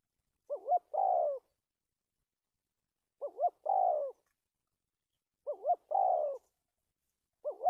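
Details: Trapping decoy spotted dove in 'cà lăm' stuttering style with two or three lead notes, 1/3/19: each phrase of two quick bent notes plus a falling mellow coo, repeated about every two and a quarter seconds, four times.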